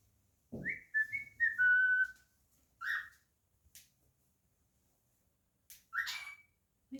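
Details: Male pet cockatiel whistling and singing indoors: a string of bright rising and falling whistled notes, then a few separated slurred whistles and short squeaks, with a brief low sound near the start.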